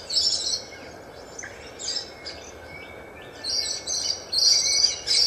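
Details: Kaka (Nestor meridionalis) on day one of exposure to a mirror, giving harsh, raspy high-pitched bursts in short clusters, with thin whistled notes in between, over a steady background hiss.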